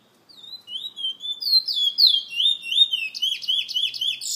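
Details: Bullfinch kept by a bird lovers association member in San Fernando delivers a quick whistled song of swooping slurred notes, ending in a rapid run of repeated trill-like notes.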